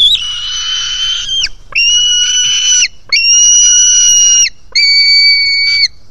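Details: White-tailed Eagle chick, hungry, begging as it jumps toward its parent at a Finnish nest on 4 July 2018, live camera; four loud, drawn-out, strained whistled screams, flat then dropping at the end, separated by brief pauses.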